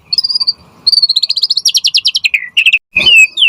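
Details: White-rumped shama song used to prompt other birds to answer: long fast trills of repeated high notes, then lower downslurred whistles and a clipped harsh burst.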